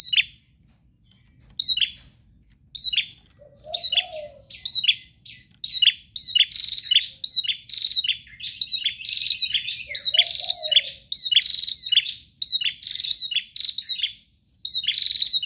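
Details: Persistent 'gacor' prinia song played to get other prinias singing: a long run of sharp high chirps, bursts repeated about every half second after a quiet start, with two brief low coos from another bird.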